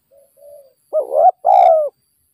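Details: Spotted dove in a decoy-trapping setting: two soft, quiet coos, then a loud burry double note and a sustained, gently falling coo. Nothing else is heard.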